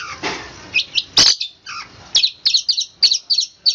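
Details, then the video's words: Long-tailed shrike in roll speed rapat style, a fast and dense rolling song. After a loud knock, high, sharp chirps come in quick pairs and triplets. "cendet roll speed rapat om kicau"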